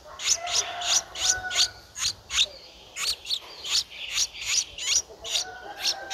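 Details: Streak-eared Bulbul nestling, 11 days old, in Ubon Ratchathani, Thailand, on 13 April 2023, giving quick, high, scratchy begging notes in a rapid uneven series, about two or three a second, with a faint steady whistle behind.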